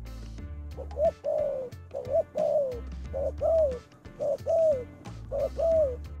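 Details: Lure calling of a spotted dove: repeated soft, throaty coos, each rising sharply then sliding down in a drawn-out note. The phrases recur roughly every second against a throbbing low rhythmic background.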